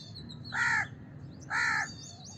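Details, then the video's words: House crow giving two harsh, nasal caws about a second apart, each with a slightly arched tone, while thin high chirps of small birds run faintly behind. "House Crow Sound! House Crow Sound Effect! House Crow Call! Crow Sound! Crow Call"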